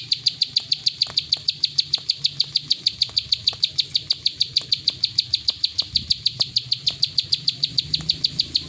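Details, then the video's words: Long unbroken 'klik ngacor' song of a plain prinia: crisp high clicks delivered quickly and regularly, around five per second, with a quiet low-pitched background. "Burung prenjak sawah klik ngacor"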